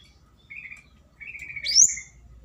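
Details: Flowerpecker calling a rival as a lure: two level whistled notes, the second longer, then a sharp rising high squeak.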